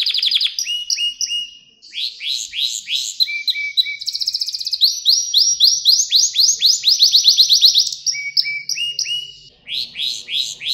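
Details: Canary singing for young canaries in training: paired whistles, bursts of rising sweeps, a rapid rattling trill and a long roll of bright sweeps; a faint low hum underneath.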